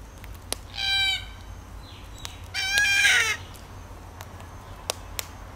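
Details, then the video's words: Two loud, raspy, drawn-out screeches from a red-tailed black cockatoo, the second longer and rougher, with sharp ticking sounds and a quiet outdoor backdrop between them. "Red Tailed Black Cockatoo"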